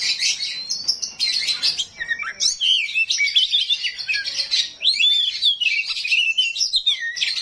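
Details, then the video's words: A 'rawit' oriental magpie-robin in full 'isian kasar' coarse fill-in song, meant to spur other magpie-robins to reply: opening with a rising whistle, then tightly packed scratchy phrases and looping whistled notes. "KACER RAWIT BONGKAR ISIAN KASAR, BIKIN KACER LAIN PASTI NYAUT"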